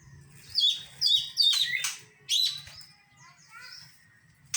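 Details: Oriental magpie-robin training song filled with mimicked phrases: a few clear downward whistles, then harsh buzzy bursts and softer scattered notes, with a faint low hum throughout.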